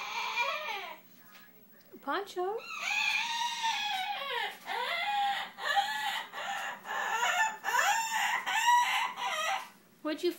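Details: Caged pet bird making the noises it gives when it thinks it has found a good nesting spot indoors: loud harsh squawks with rising and falling arched notes, repeated in irregular bursts, with a faint hum in the room.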